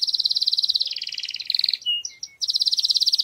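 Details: Strong canary song for preparing females to mate: long rapid buzzy trills shifting between two pitch levels, a short break of thin whistled notes, then the trill resumes; faint hiss in the background.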